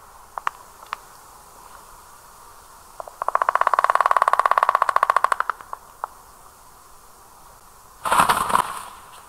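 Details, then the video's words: Black storks at their nest in Karula National Park, Estonia, communicating: a drawn-out whistled note broken into a rapid rattling pulse for about two seconds, then a harsher burst, with scattered bill clattering clicks between. "Черный аист . Послушайте: Аисты переговариваются. Listen: Storks are talking."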